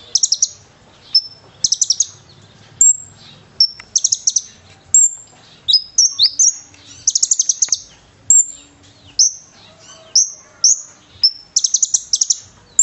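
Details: Konin (brown-throated sunbird), a vocal fighter bird whose song is packed with cililin imitations, used as a training recording: repeated rapid trills of thin high notes alternating with clear piercing whistles, some sliding downward, over about thirteen seconds.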